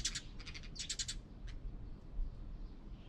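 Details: Wild birds gathered at a bird feeder knocked down by a rain storm in Korea, one feeding another; bursts of rapid, scratchy chirps in three clusters, then a lone chirp and quieter background.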